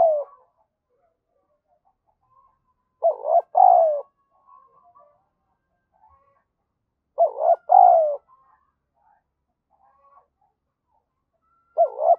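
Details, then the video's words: Lure spotted dove calling in the 'gáy thúc và gù' manner to stir up wild doves: low, hollow stuttered coo phrases repeating roughly every four seconds, with faint soft notes between them. "chim cu gáy mồi gáy thúc và gù"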